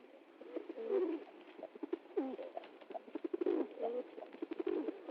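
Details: Low gurgling pigeon coos repeat in uneven bursts, several throaty rolling notes blending one into another.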